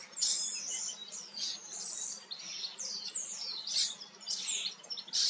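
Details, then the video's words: A preening common starling sings a dense run of high, scratchy warbles and sharp downslurred whistles, repeated in quick phrases throughout. "Star singt und putzt sich. Common starling sings and cleans up"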